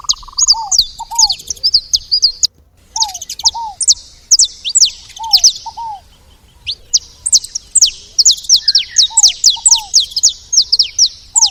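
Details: Saffron finches noisily feeding at a station: rapid bursts of high, thin chirps with a short gap, plus a recurring lower downslurred double note between bursts.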